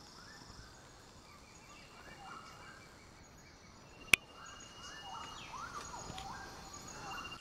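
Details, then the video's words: Bird-of-paradise calling on Saporkren hill in Raja Ampat: runs of short, nasal notes that rise then fall, several overlapping in quick succession, with one sharp click midway and a steady hiss behind. "Burung Cendrawasih Raja Ampat di Bukit Saporkren"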